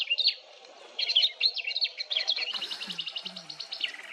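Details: Rare swamp grass babbler singing: scattered twisting high notes, then a fast rattling series of repeated sharp notes, with a few soft low sounds underneath.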